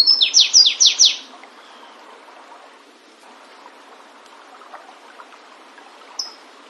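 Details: Flavescent warbler in the wild finishing a song with four loud, falling slurred notes, then quiet, and a single sharp high note near the end.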